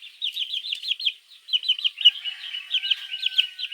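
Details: Morning peeps of baby chicks calling the hen, used as a mongoose lure: quick high cheeps in short runs, with a faint, steady, lower tone in the background near the end.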